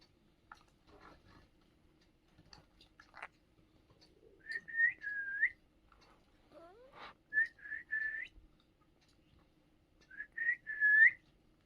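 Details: Indian ringneck parrot giving short clear whistled phrases near one pitch, three bursts of quick rising-and-falling notes a few seconds apart, preceded by soft clicks and scratchy sounds in a quiet room.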